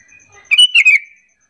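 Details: One cheerful phrase from a Sooty-headed bulbul, a luring call to prompt other bulbuls to answer: three fast liquid notes stepping slightly downward, preceded by a soft thin whistle and faint ticking.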